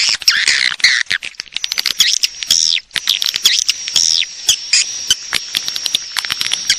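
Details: Swiftlet calls used to lure the birds to roost: dense, high twittering chirps mixed with rapid dry clicks, a thin steady whine running underneath, with brief sweeping notes bunched around the second and fourth seconds.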